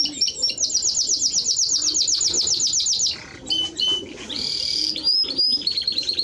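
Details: Timbrado Español canary singing a fast, even, high-pitched rolling trill for about three seconds, then switching to clear whistled notes, a buzzy burst and quick rising chips. A low hum runs underneath.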